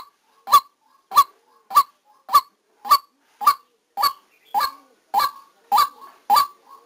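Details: Live recording of a decoy white-breasted waterhen while trapping in Vietnam: a dozen loud, coarse honks repeated at a brisk regular pace, the later ones slightly drawn out.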